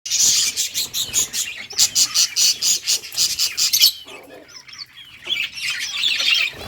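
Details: Budgies of bright colours playing and chirping, a colony of pet birds giving rapid bursts of high, scratchy chirps in pulsed runs, then brief quieter warbles before more chatter.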